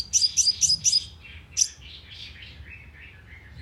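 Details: Sunbird lure call for attracting birds to a loudspeaker trap: four quick, high, sharp chirps and one more, then softer, lower trailing notes fading out.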